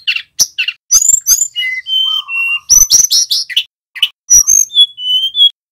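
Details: Male tledekan gunung singing hard, used as a training lure to get other birds to sing. Bursts of sharp chirps alternate with long, steady whistled notes at several pitches, including one lower flat whistle.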